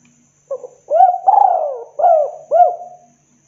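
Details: Spotted dove giving a lively 'kuk 2' style cooing phrase used as a lure to call other doves: five hollow coos, a short opening note, two rising-falling coos, one longer drawn coo, then two quick final coos, clean with no other sounds.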